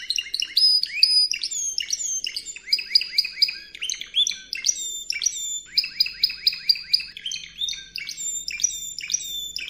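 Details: Spanish Timbrado canary in training audio for canaries: nearly ten seconds of continuous song, with fast repeated metallic notes, held high tones and rolling trills in changing tours, plus a faint low hum.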